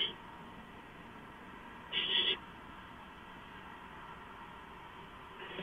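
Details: Barn owl at the nest as a gopher is delivered around midnight, 2 April 2015: a single strong, harsh hissing screech lasting about half a second, with fainter rasps at the start and end.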